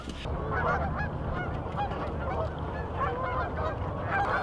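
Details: A large flock of Canada geese, with many mallards, at a winter morning stopover on their southward migration in the middle of town; a dense chorus of overlapping nasal honks over low rumbling background noise.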